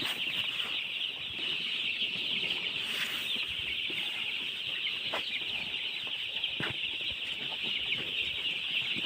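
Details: A crowd of young chicks gives unbroken high-pitched cheeping, many overlapping voices forming an even, bright wash of sound with occasional low taps.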